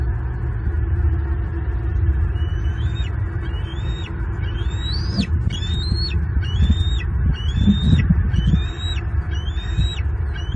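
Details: Bald eagle at the nest in the morning, a whole large fish just delivered for breakfast: repeated high, thin rising then sharply falling whistled notes, about one per second in a steady series, over constant low rumbling wind noise.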